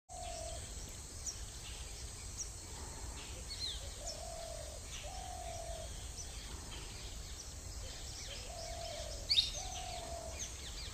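Greater coucal giving deep, hollow hoots, single or paired notes every second or few, over a steady high insect hiss and scattered chirps of small birds.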